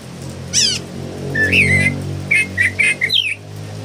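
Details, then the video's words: A noisy singing Philippine bulbul gives a squeaky downslurred note, then a run of short, wavering whistles around mid-high pitch, over a low background rumble. "PULANGA ma ingay talaga(singing bird)"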